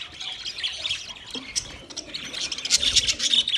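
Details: High, rapid budgie chatter of scratchy chirps and warbled notes that grows louder and denser toward the end.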